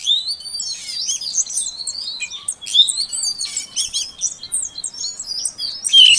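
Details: Female Oriental magpie-robin calling to encourage a silent male to start singing: continuous high chatter of overlapping whistles and quick chirps at a steady moderate volume, with a sharp bright note at the end.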